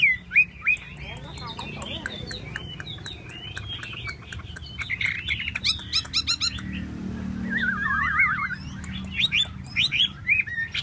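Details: Chinese hwamei displaying with spread, dancing tail; scattered sharp clicks and short chirps build into a run of dense notes, then a rapid wavering whistled trill follows, over a steady low hum.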